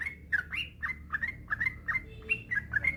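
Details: Yellow-vented bulbul used as a master recording to prompt other bulbuls to sing: rapid chattering bubbly notes, each a short liquid phrase with a clear whistled tail, run together continuously with faint low hum behind.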